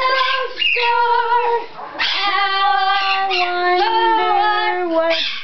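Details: Indoor pet blue-fronted amazon singing a melodic, human-like tune of held, wavering notes that step between pitches, nearly continuous for over five seconds.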